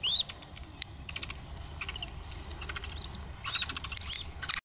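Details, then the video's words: Budgerigar (parakeet) chicks in a clutch, a busy mix of high arched peeps and rapid scratchy chirps and clicks, nearly continuous, with brief quiet gaps. "Budgie/Parakeet Chicks"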